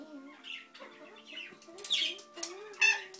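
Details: A pet African grey parrot makes a strange mimicked noise that goes from a tick-tock to banging, construction-type sounds: wavering whistles, clicks and harsh, hissy squawks, with a sharp burst near the end.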